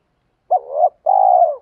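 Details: Single spotted dove phrase used to lure and stimulate wild doves: a quick rising clipped note, a gliding murmur, then a long even hollow coo ending with a slight drop.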